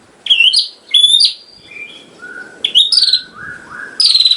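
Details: Clear white-rumped shama song used as a model for caged birds. Bright rising and falling whistles alternate with lower, softer slurred notes, ending in a sudden buzzy burst.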